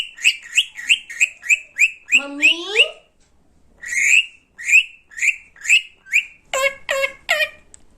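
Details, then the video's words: Talkative pet parrot whistles rapid, evenly spaced high chirps, breaks into a lower drawn-out squawky phrase, pauses, then resumes the repeated chirping and ends with harsh buzzy notes. "talking parrot"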